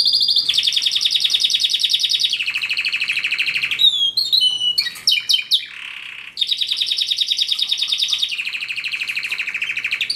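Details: Canary song built from sustained rapid trills, each tour of fast repeated notes held for a second or more and stepping up or down in pitch, broken midway by a flurry of sharp sweeping chirps, then more trilling.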